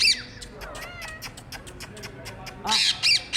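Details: A pet Indian ringneck parrot climbing in trees gives loud, harsh, high-pitched squawks in short bursts, with quieter chattering and a human voice in between; rose-ringed parakeet.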